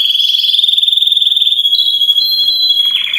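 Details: Belgian canaries, several singing together, used to encourage other canaries, especially young birds or adults after moulting, to sing: a long, fast, even trill that later shifts pitch into rolling, stuttering notes.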